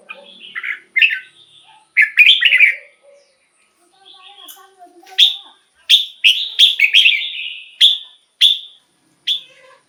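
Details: Caged red-whiskered bulbul, song meant to excite birds or act as a decoy: a few warbled phrases, soft low background sounds, then a series of sharp rising whistled notes repeated about twice per second.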